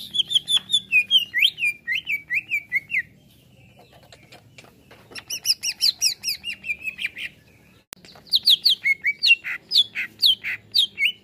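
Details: Greater green leafbird responding to a played sound with three bursts of rapid, varied whistled phrases, slurred and warbling notes strung together quickly, separated by short pauses; faint background hum.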